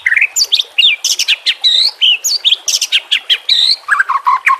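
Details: A white-rumped shama sings a combination song meant for training caged birds: dense, fast sequence of high warbled whistles and crisp chips, finishing with a run of lower repeated falling notes. Nature sounds and trickling water accompany it.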